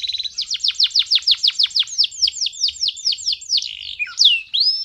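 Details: Singing male canary used to train young canaries and stimulate females: a fast series of about twenty crisp descending notes, slowing and changing toward the end, finishing with slurred whistles.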